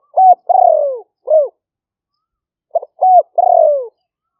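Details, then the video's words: Spotted dove calling in the lahw fueang lure style, recorded live in rainy-season paddies of Roi Et, Thailand. Two phrases of quick stutter, arched coo and drawn-out downward purr come about 2.5 seconds apart. "หลิ่วเฟืองเสียงกลาง#5 ต่อกระโจม เสียงนกเขาใหญ่"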